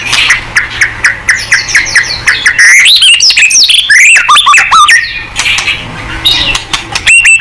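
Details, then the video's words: White-rumped shama singing, meant to provoke a reply: short clipped notes repeated steadily at first, then a loud burst of tumbling, sliding whistles and sharp chips, ending with softer repeated notes and a whistle. "TERAMPUH!!! MURAI BATU GACOR|Hanya cukup 5 detik Langsung NYAUT!!"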